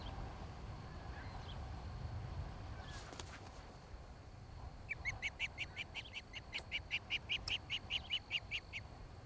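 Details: Osprey at a Montana nest site in Charlo, filmed 26 July 2018 shortly after 5 pm: quiet wind at first, then a long, even train of high, piping whistled chips repeated rapidly for several seconds.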